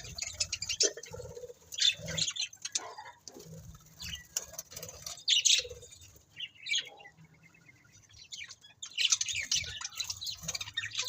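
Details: Pet budgerigars give soft, scattered squeaky chirps and chattering notes at a low level, with light patter and rustling throughout and small louder bursts near the start and end.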